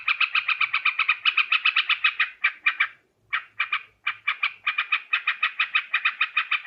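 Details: Lure recording of a sooty-headed bulbul: fast chattering note series that breaks into shorter bursts and brief silences midway, then resumes as a steady rapid chatter, in clean surroundings.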